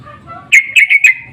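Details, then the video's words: Loud, clear sooty-headed bulbul lure call: four whistled notes in quick succession, steady in pitch, from an insistent exchange of answering birds. "Pancingan dan panggilan burung trucuk saling bersahutan❗suara ngotot"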